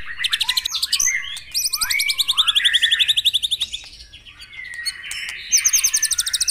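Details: Morning song of a white-rumped shama meant to prompt caged birds to sing: long, fast ticking trills at high pitch, interspersed with slurred whistles, briefly softer midway before a loud trill resumes.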